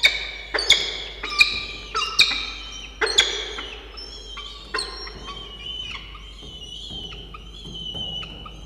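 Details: Peregrine falcons at a nest box on the Charles Sturt University campus in Orange, NSW, Australia, 1 November 2021, as breakfast is brought and a chick is fed. Sharp harmonic chirps come in a quick burst, then fade into thinner, softer calls.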